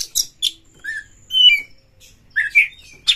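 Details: Oriental magpie-robin in breeding condition singing to provoke a rival: brief harsh chattering notes, then clear slurred whistles and a buzzy rising phrase, ending with another scratchy burst.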